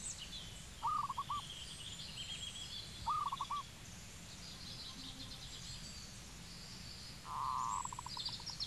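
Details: Cambodian zebra dove: two brief rolling coo phrases a couple of seconds apart, then a longer, buzzier phrase trailing into separate notes, with faint high bird chatter behind.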